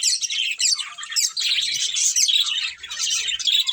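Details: Short burst of budgerigar chirping from a breeding pair: bright, rapid twittering chatter with squeaky high notes, rising and falling in loudness in quick waves.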